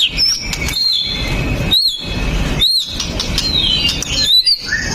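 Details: Singing white-rumped shama meant to provoke other males into song, phone recording: high clear whistles sliding up and down, separated by brief gaps, with constant hiss behind.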